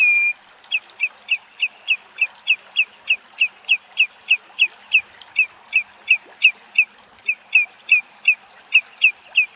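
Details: Common redshank foraging in Axios Delta National Park near Thessaloniki, Greece, recorded where it fed: a long, steady series of short, high, slightly down-slurred whistled notes, about two and a half per second, with quiet background hiss.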